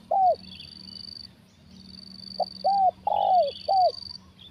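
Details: Spotted dove with a big voice, 'kuk satu' style, recorded while trapping with a decoy bird: an opening coo, a pause, then four arched coos in quick series, with a steady high insect whine and a low hum behind.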